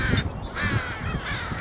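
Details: Crows caw harshly in overlapping bursts at Burnaby Lake, seen from the dock at Piper Spit on a clear day, several birds calling at once amid noisy gulls and ducks, over a steady low rumble of wind or traffic.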